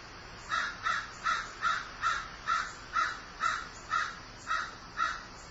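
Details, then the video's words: Long steady series of about twelve harsh caws from a grieving crow, delivered rhythmically at roughly two per second. "Grieving Crow"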